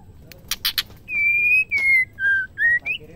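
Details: Female white-rumped shama song, used to stir males into singing. A few sharp clicks come first, then long clear whistled notes that step down in pitch before rising again, each held for about a quarter second.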